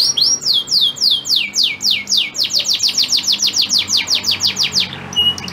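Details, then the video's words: Male canary, a breeding bird, singing to make a female in breeding condition crouch and accept mating: a rapid series of steep downward whistled sweeps, about three per second, ending in a brief high note. "Kenari Super Gacor Betina Birahi Langsung Ngleper"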